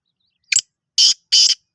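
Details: Black francolin at Rokhri giving three harsh, grating notes: a short clipped chik, then two longer rasping cheek notes in quick succession, with no other sounds.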